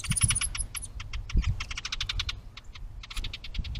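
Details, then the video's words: House wren recorded by trail camera at a bluebird nest box with its stick nest, 10 May 2023: rapid, dry, clicking chatter in uneven bursts with a brief pause, over soft low rumbling. "House Wren"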